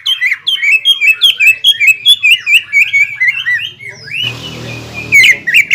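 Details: Greater green leafbird song meant to provoke a rival leafbird after its moult; continuous rapid whistled chips and slurs, interrupted about four seconds in by a burst of broad noise before the song resumes.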